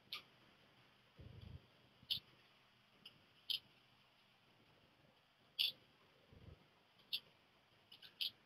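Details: Black redstart chicks fledging, three of them leaving the nest within a short time: short, high, sharp notes given singly or in quick pairs every second or so, with a couple of low thumps.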